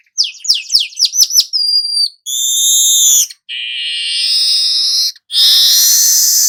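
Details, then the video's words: Golden-headed weaver song to train songbirds: a burst of fast falling chirps, a thin whistle, then a string of long buzzy, sizzling notes separated by short gaps. "suara manyar kepala emas"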